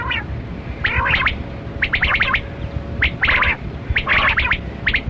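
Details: Kali Kirak quail (batera) from a hunting recording. Chattering, gargled bursts of rapid notes recur about once per second, each cluster rough and stuttering, over a steady low hum.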